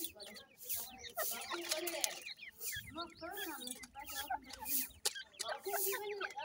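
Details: Young black francolin (kala teetar) chicks: a crowded mix of sharp chirps and quick slurred cheeps, with intermittent low tones and bursts of rustling noise.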